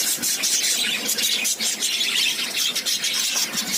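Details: Many lovebirds squeal and chirp together in a loud, unbroken, high-pitched clamour of short harsh notes, the tumult steady from start to finish.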